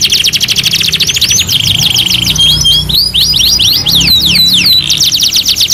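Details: Canary singing in a two-in-one master recording: buzzy repeated trill units, then a flat sustained note, then a run of quick looping sweeps and a return to fast rattling trills.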